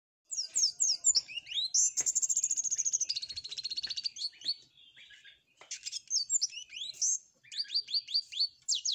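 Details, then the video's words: Flowerpecker singing actively, its song filled with canary phrases: rapid high downslurred chirps, then a long buzzy trill that drops in pitch, a short pause, and more quick high chirping notes. "Burung Cabe Cabean Gacor isian Kenari"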